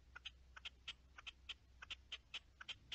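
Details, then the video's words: Partridge dated 10-03-21 delivering paired, clipped chuck notes in an even rhythm, about four pairs per second, sharp and harsh against a faint low hum. "Reclamo de perdiz"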